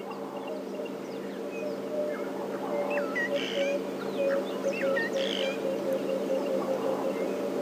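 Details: Emerald-spotted Wood Dove on a January 28 morning safari drive near a lion pride, giving a low, soft series of cooing notes that falls in pitch, over a steady engine hum with other birds chirping higher up.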